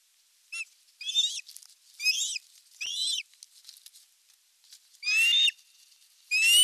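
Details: Osprey at a Satakunta nest camera on 19 July 2022 as the male brings a big fish: irregular bursts of shrill, wavering whistles, some faint, the final two louder and rising.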